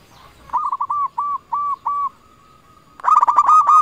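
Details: Local zebra dove calling out rivals, used as a lure. It gives a run of short, even, hooked coos, then a steady held tone, then a fast rattling trill of rapid notes.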